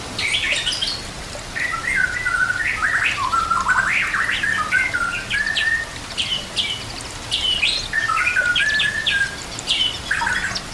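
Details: White-rumped shama song used for training other birds, played with nature sounds and water: continuous varied warbling of whistled slurs and short buzzy notes, dense and unbroken across the clip, over a steady rushing background.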